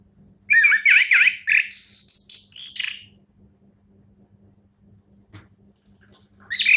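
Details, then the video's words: Champion orange-headed thrush in song: a rapid run of loud whistled and chattering notes with quick up-down slurs, lasting about two and a half seconds, then near silence before a fresh burst starts at the very end. "anis kembang juara"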